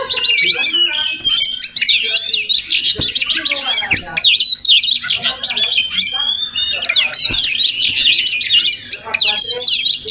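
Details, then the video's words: Oriental magpie-robin, wild and coming to a house daily, maybe nesting nearby: long restless outpouring of shrill whistles, slurred chirps and harsh squawks, with short pauses and occasional clicks. "Crazy Sounds of Village Magpie Birds"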